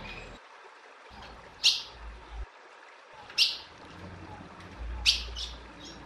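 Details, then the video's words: Female ultramarine grosbeak calls insistently with three sharp, bright chips, each followed by a fainter echoing note, about every second and a half, over light hiss. "O Melhor Piado de Fêmea de Azulão Chamando Muito"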